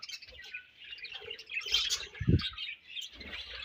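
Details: Budgerigars exchanging food chatter in quick high tweets and warbles, while dull knocks and shuffling sounds rise underneath, one strong thump just past the midpoint.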